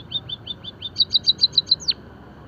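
A White-headed munia's song: about a dozen thin, high chirps at an even pace, getting louder, then a final note that slides sharply down.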